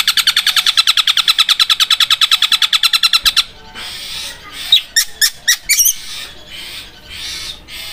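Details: Long-tailed shrike (cendet) delivers its rapid 'Armageddon' roll, likened to a sharp sewing machine. Over three seconds of fast, regular, mechanical repeated notes, then silence, then several isolated sharp high notes.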